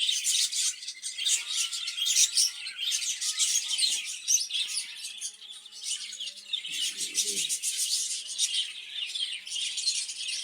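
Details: Caged budgerigars kept for breeding, giving a dense, continuous chatter of high, scratchy chirps and warbles, rising and falling in loudness, with a brief low fluttering sound near the middle.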